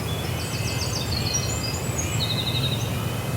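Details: Winter wren singing at dawn on the Maine coast: very high, rapid tinkling trills and twittering runs, bursts rising and falling, over a steady low rumble of fishermen's boat motors.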